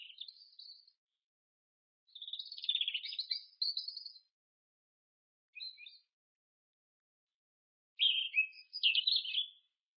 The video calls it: Robin, Erithacus rubecula